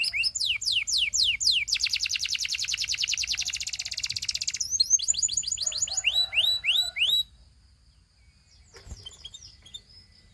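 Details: Canary singing a fast series of high sweeping chirps, then a dense buzzing trill and more rising whistled sweeps, stopping after about seven seconds; faint quiet notes and a single click follow.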